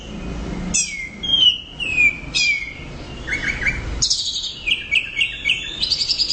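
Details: Orange-headed thrush singing loudly and continuously in gacor teler style: high whistled notes sweeping downward, short chirpy phrases, then a dense rush of rapid varied twittering after a short pause.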